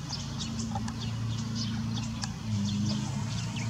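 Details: Common starling at İnönü University campus, Turkey, giving quick high chirps and short whistled notes in an irregular series, set against a persistent deep mechanical drone.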